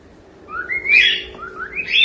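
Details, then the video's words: Pet cockatiel chick singing: rising whistled notes climbing into a brief harsh burst, then another upward whistle, in a quiet indoor space. "SOM DE CALOPSITA CANTANDO"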